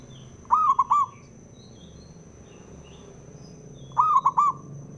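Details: Two clear, rolling, three-part coos from a local male zebra dove, used to set rival doves singing, spaced about three and a half seconds apart over soft background noise and a constant high whine.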